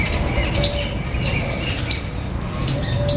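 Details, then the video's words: A flock of jungle babblers visiting a house backyard for food gives thin, squeaky, high chirps about every half second in short bursts, over a steady low rumble. "Flock of Birds chirping sounds"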